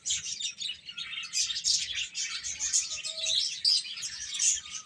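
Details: Many chicks chirping as they eat and play, a constant shrill chatter of overlapping peeps, with a brief short tone around three seconds and a quiet low rumble.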